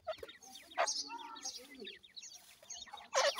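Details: Group of captive ring-necked pheasant chicks during feeding, giving a steady patter of high, thin, downward-sliding peeps, with knocking sounds at the beginning and a loud clatter at the close.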